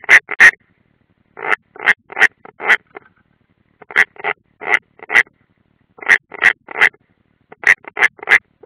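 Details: European roller at the nest in Ādaži training ground, Latvia, June 2016: rough, rasping chack notes in tight clusters of three to five, bursts separated by short pauses, close and loud against a quiet background.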